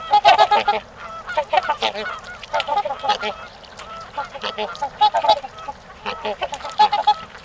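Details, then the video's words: Trumpeter swans in mating time at a park in Ann Arbor, Michigan: a busy, continuous chorus of overlapping nasal, trumpeting honks, rapid and irregular, from several birds calling together. "Trumpeter Swans @ Gallup Park Mating Time"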